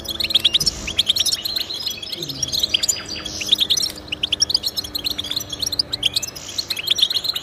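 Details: Goldfinch song played to encourage pet goldfinches to sing: dense overlapping high twittering, rapid chirps and short trills layered continuously, with a faint low hum underneath.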